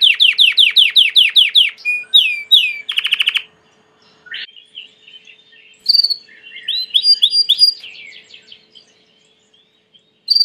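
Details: A Belgian canary sings varied phrases: a rapid series of repeated descending notes, a few sweeping calls, and a dense buzzy burst, followed by softer scattered chirps and twitters with short silences between them.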